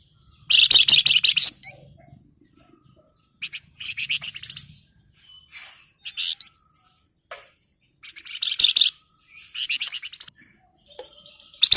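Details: Flamboyan in lively 'ngebren rapat nyerecet' song: repeated loud, harsh, high rattling trills and chattering phrases separated by short silences, with a faint low murmur under the first bursts.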